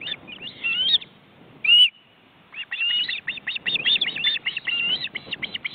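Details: Osprey family at a nest in a forest reserve in Estonia, recorded on a live webcam while the grown chicks flap their wings. Irregular whistled squeals and a single loud note after a pause, then a fast chattering run of high notes.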